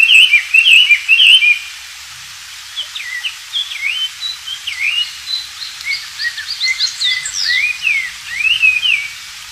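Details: Oriental magpie-robin singing in the wild, recorded as tutor material for white-rumped shamas. Loud bright whistles open the sequence, a brief gap follows, then softer scattered chirps and slurred notes over light background hiss.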